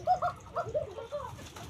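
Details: Deshi Koka domestic pigeons kept at Ilamdahi, Tanore, Rajshahi, giving a short series of soft, low, rolling coos that rise and fall, fading toward the end.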